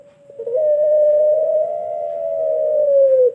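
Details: Long call of a Pelung turtle dove from Indonesia, kept as a model for training birds: one smooth, drawn-out coo held steady for nearly three seconds, sagging slightly at the end.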